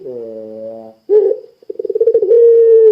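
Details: Spotted dove, puter pelung, calling to trigger other doves: a low buzzy coo, a short sharp note, a stuttering pulsed trill, then a smooth long coo.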